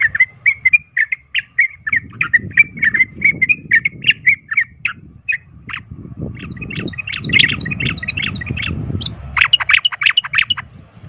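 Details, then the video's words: Sooty-headed bulbul giving a rapid 'ropel tarung' fighting song, used as a lure to rouse other bulbuls to fight: quick chattering notes repeated several times a second, then denser jumbled phrases over low rumbling background noise. "pancingan trucukan ROPEL TARUNG ini bikin trucuk lain seketika ikut EMOSI tarung"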